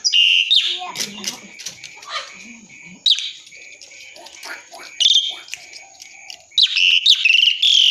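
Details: Asian pied starling singing energetically: loud bursts of harsh, whistled and chattering notes at the start and end, with a quieter stretch of mixed sounds in between.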